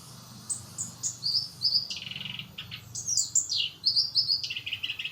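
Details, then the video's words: Black-browed barbet song: bright, high chirping notes and short trilled phrases in quick bursts, some buzzy lower segments, repeated through the recording with a low background hum. "Kerakbasi Alis Hitam"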